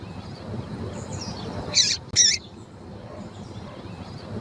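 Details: A female Double-collared seedeater (tui-tui coleiro) call, used to excite and train males: two brief, high, sharp chip notes in quick succession over a steady background hiss.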